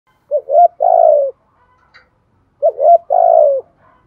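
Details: Spotted dove calling in the 'giọng thổ' voice style, used to lure wild doves. Two low cooing phrases, each a clipped double note then a long burry, slightly falling coo, about two seconds apart, clean with no other sounds.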